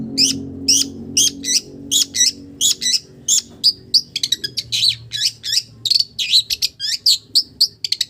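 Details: Long-tailed shrike singing with imitations of village birds, a lively run of loud, high, twisting chirps and slurred whistles delivered in rapid succession.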